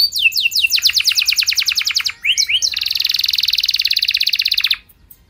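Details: Singing canary used to spur other canaries into long replies; quick descending whistles give way to a dense, rapid trill, a couple of sharp upslurs, then a long buzzy rattle that stops abruptly.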